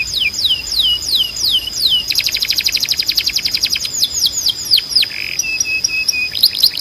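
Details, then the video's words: Timbrado canary song used to train canaries to sing. Quick downslurred whistles give way to a long, rapid metallic roll. Then come scattered swooping notes, a short buzzy note and level piping tones. "Canário Timbrado 🎶 Som de Alta Qualidade para Encarte e Treinamento"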